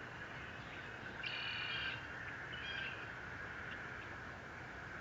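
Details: Fort Saint Vrain nest camera eagle, recorded 30 April 2021, gives a drawn-out, high, piping squeal lasting over half a second, then a shorter, weaker squeal about a second later, over steady hiss and electrical hum.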